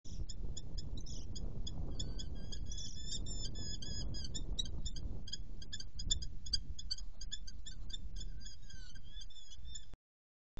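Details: A female Eurasian hobby in Hungary on 15 June 2014 gives a rapid, ringing series of sharp, high kew-kew notes, several per second, over a strong low wind rumble.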